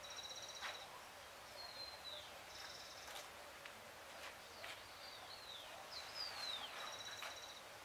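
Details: Full moon night, 13 June 2022 at 6:26 PM: a Great thrush gives scattered high whistles and downward slurs between sharp clicking ticks, with soft rustling and background hiss.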